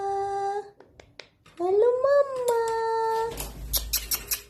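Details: A pet rose-ringed parakeet (ringneck) that says "hello", "hi" and "Kiwi" speaks in a nasal, voice-like tone: a held note, then a drawn-out rising and falling word, ending in scratchy, clicking chatter in a small room.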